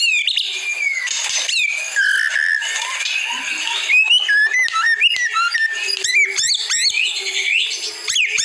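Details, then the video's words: White-rumped shama in a masteran training recording meant to make captive birds answer: a dense, loud medley of varied clear whistles, sliding notes and sharp chips, several phrases overlapping without pause. "Masteran Murai Batu langsung Nyaut 100%"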